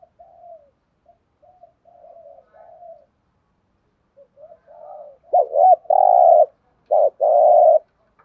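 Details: Spotted dove, thúc gù coo: soft low murmuring at first, then two strong phrases near the end, each a clipped warbled note running into a drawn-out buzzy coo.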